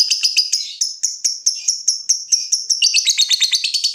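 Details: Lovebird ticking song, played to prompt other lovebirds to trill: evenly repeated sharp high ticks about three per second, speeding into a rapid rattling chatter at the end.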